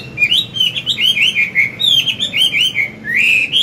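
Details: Continuous rich whistling from an old wild-caught Chinese hwamei during morning song, forest-style voice used to stimulate young birds: quick looping phrases, fairly even in pitch, with a rising whistle at the end.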